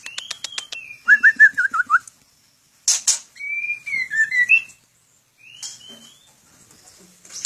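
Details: In a breeding aviary, a white-rumped shama (murai batu) opens with rapid ticking notes, then a quick series of clear whistled trills, a sharp click, and warbling rising-and-falling phrases with short silences.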